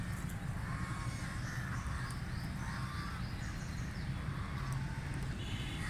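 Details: Call duck feeding in water, with repeated short nasal quacks spread through the stretch beneath heavy low rumbling noise.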